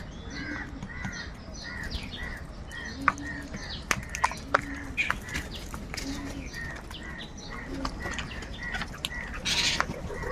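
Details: Large numbers of crows fighting for food: a string of short, harsh, arched caws repeated roughly every second, several birds overlapping, with scattered clicks and knocks in the background.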